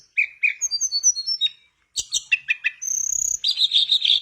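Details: Mangrove blue flycatcher singing lively as a prompt for another bird: rapid run of sweet high whistles, then quick chips, a long thin even whistle and a dense warbling twitter to the end.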